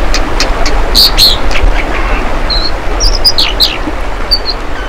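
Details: American dipper pecking at the camera, giving sharp, high, thin chirps, singly and in quick pairs, over a steady low roar of rushing water.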